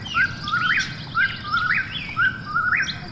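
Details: Whistled phrases of an Eastern whip-poor-will at night, three in about three seconds, each sliding up at the end, with fainter higher answering calls and a low steady hum.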